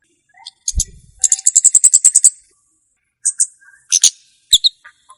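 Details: Olive-backed tailorbird song, recorded for use as a lure and for tutoring young tailorbirds: a dull knock, then a rapid rattling series of about ten high chips, followed by scattered shrill notes and short double chirps.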